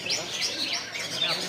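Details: Long-tailed shrike singing a song that imitates a kolibri, a sunbird: a fast stream of thin, high, sweeping chirps and twittering notes, rising and falling without pause, over faint background hiss.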